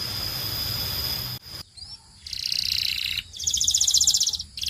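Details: Belgian canary singing for training other canaries: after a hiss, bright high buzzy trills and rapid pulsed rolls in short bursts with brief silent gaps.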